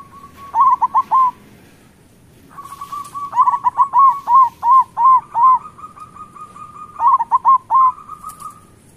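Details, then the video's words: Local zebra doves sung as a lure for lazy doves: a short loud burst of four ringing coos, a pause, then a long run of about ten evenly spaced hooked notes and a final group of three over a steady trill. "Perkutut lokal gacor Suara Besar"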